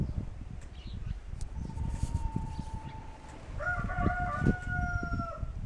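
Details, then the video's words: Kencana rooster, a homegrown Ameraucana-Barred Rock hybrid, in a barn in January 2013: a steady thin tone, then a strong sustained harmonic crow about two seconds long over continuous low thumping and rumbling. "Kencana Rooster Crowing"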